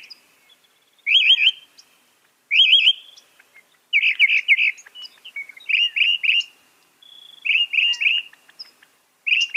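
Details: Mockingbird of the northern species sings one short, rolling, triple-noted phrase, repeating it every one to two seconds with little change.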